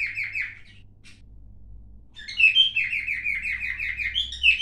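A cockatiel chatters in quick, chirpy bursts of rising and falling notes, pauses briefly, then resumes.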